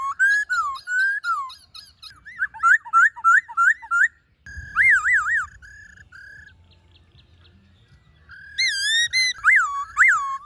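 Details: Black-throated laughingthrush singing its forest voice, meant to call and train wild-caught birds: bursts of loud wavering whistled notes repeated quickly, a quieter pause with low rumble, then more loud looping whistles.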